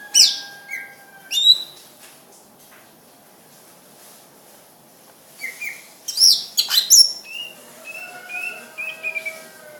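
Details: Greater green leafbird, called cucak ijo, singing in bursts of sharp high whistled notes and quick slurred chirps, separated by a few seconds of quiet.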